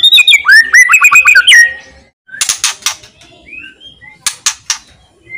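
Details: White-rumped shama's loud song with harsh crackling notes, used to trigger other shamas' singing; rapid looping whistles at the start, then silence, then dry broadband rattle bursts between thin whistles.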